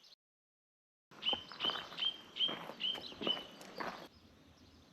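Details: Song thrush on a small blueberry farm a couple of hours outside Auckland, New Zealand, just after sunrise (about 6 am) on the summer solstice, 21 December 2024. It repeats a clear, high whistled note about six times, roughly two per second.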